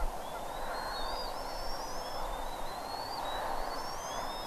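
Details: Morning calls of bald eagles at a Redding nest, 25 April 2021, 07:00: several high, thin, rising whistles, some overlapping in pairs, over constant broadband background hiss.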